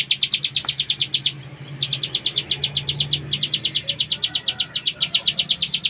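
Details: Cililin about 3.5 months old singing a long continuous run: sharp, high chirps, about three each second, broken by two short pauses, with a low hum underneath.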